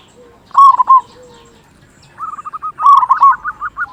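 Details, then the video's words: Loud local zebra dove singing to stir quiet zebra doves: a rolled coo phrase, a pause, then a fast string of trilled notes leading into another strong rolling coo. "Perkutut Lokal Gacor Suara Besar Pancingan Burung Perkutut Agar Cepat Bunyi"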